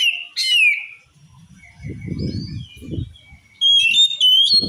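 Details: Oriental magpie-robin song said to make other magpie-robins furious: loud rich whistled phrases with upward slurs, a pause filled by soft low rumbling thumps, then a bright run of clear repeated whistles.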